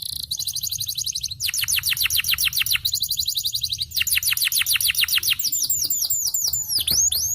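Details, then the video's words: Champion yellow canary singing its long song: dense trills of rapid repeated notes in bursts of over a second, shifting to looser slurred whistles toward the end. "The choice of the yellow Canary is the cool long sound of the champion"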